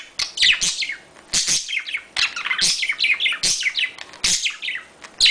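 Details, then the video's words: Budgerigar mating sounds to encourage breeding: chattering phrases of high, fast chirps and downslurred notes, each led by a click, repeating roughly once a second. "تحفيز طيور الحب على التزاوج اصوات تزاوج طائر البادجي صوت طيور البادجي تغريد طيور الحب"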